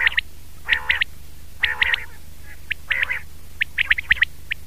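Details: Common quail (batair) calling, 2019 recording: bursts of sharp high notes grouped in threes, mixed with lower, harsher stacked calls, repeating roughly every second over a steady low hum.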